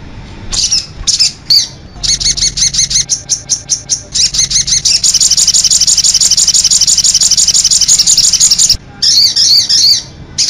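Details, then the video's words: From a sogok ontong master recording that includes konin calls. Scattered high chips become a rhythmic series of sharp notes, then a dense, continuous high trill. After a short gap, wavering buzzy phrases follow. "suara pikat dan masteran burung sogok ontong persi suara konin full isian d jamin bikin nyaut"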